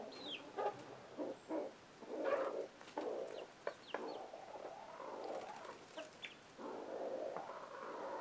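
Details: Chicken alerting young chicks with irregular low clucks and a drawn-out murmuring grumble; a few high chick peeps scattered between them.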